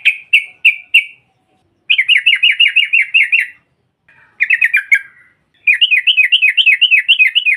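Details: Female sooty-headed bulbul giving ngropel chatter to provoke rival birds: a few spaced sharp notes, then long runs of rapid, bouncing, looping notes, each lasting one to two seconds, with short silences between runs.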